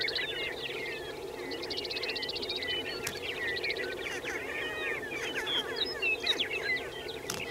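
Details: Several prairie chickens calling together on a lek at Fort Pierre National Grasslands, South Dakota: a dense, overlapping chorus of cackles, whoops and chatter over a continuous low droning moan.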